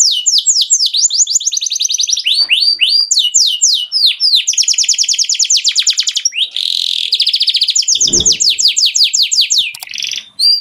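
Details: Canary singing, used for training young canaries: long, rapid trills of sharp, rising whistled notes repeated several times a second, switching between rolling trill types, with a brief buzzy rattle and one low thump partway through.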